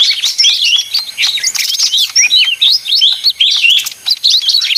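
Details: Small leafbird (ijo daun) in an energetic, noisy song: quick repeated whistled loops and sharp chirps, high and crowded, with a few short pauses.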